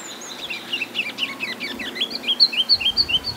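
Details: Female Ruby-crowned Kinglet (no red crown), a captured bird handled at a monitoring station: a thin, tumbling run of very high notes, then a brisk series of clear, bouncy whistled notes, about four per second. A faint low background hum.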